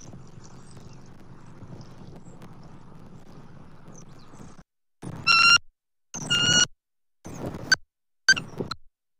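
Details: Bald eagles at the nest in Southwest Florida, 29 October 2024, during food deliveries from the male to the female: after quiet background, four loud harsh squealing notes, each under a second, with gaps between them.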